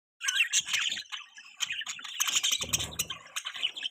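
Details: Budgies chirping: a dense, fast chatter of high, scratchy chirps and short warbled notes, almost continuous after a brief silence at the start, with a soft low rustling thump near the middle.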